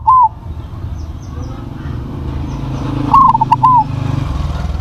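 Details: Crossbred zebra dove with a loud voice: a brief coo fragment at the start, then one full rolling phrase of quick notes and a drawn-out final coo, against steady low traffic-like rumble.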